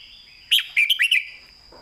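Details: One crisp phrase of red-whiskered bulbul master song ('phleng mae bot'), clearly phrased: a loud, quick sequence of four or five bright, bubbling whistled notes over a faint steady high tone.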